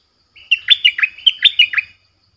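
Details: Streak-eared bulbul used as a lure bird to call in wild birds: a loud, fast run of about eight sharp, chirpy notes, each dipping then rising, packed into under two seconds against a quiet background.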